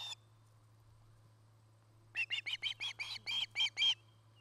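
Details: At a Charlo, Montana nest watched by camera on 09-08-2018, an Osprey utters a single note, then after a short silence a quick string of ten sharp chirps ending in louder, clearer whistles; low hum throughout.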